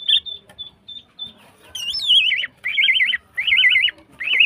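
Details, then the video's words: Singing female greater green leafbird in breeding condition: a few clipped high notes, then loud rolling warbled trills that wobble up and down, repeated in three long phrases. "CUCAK IJO BETINA GACOR HIPER"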